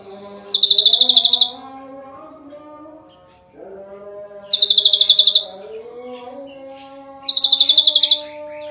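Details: Ashy drongo delivering three separate rapid rattling bursts, each about a second of tightly packed high pulses, spaced a few seconds apart over faint steady low tones; a 'gacor nembak rapat' masteran recording.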